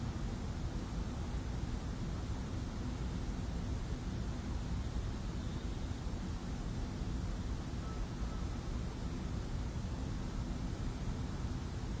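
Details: Steady broadband rushing noise, heaviest in the low range like wind or traffic, with no animal calls.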